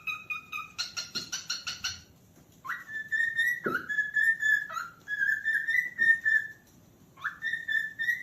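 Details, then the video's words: Cockatiel calling, opening with a quick string of short clear notes, then long whistles that rise sharply and hold level. The whistles have slight wavering breaks, separated by brief pauses. "calopsita cantos ✅som de calopsita chamando"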